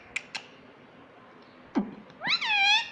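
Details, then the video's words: Pet parrot, tagged as a green ringneck, talking and said to say "mummy" and "papa": a single loud, rising-then-falling harmonic syllable near the end, after scattered clicks and taps in a quiet room. "parrot talking mummy papa"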